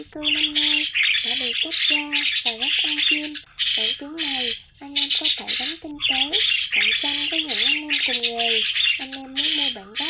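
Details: Lure recording of migrating starlings: loud, rasping chatter in repeated bursts with short gaps, mixed with wavering whistled notes that dip and rise in quick zigzags.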